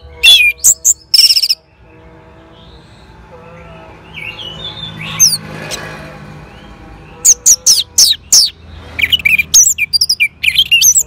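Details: In northern Bali, an Orange-headed thrush responds to a lure with fast, high, sweeping chirps, soft rising whistles through a quieter middle stretch, then renewed bursts of sharp notes.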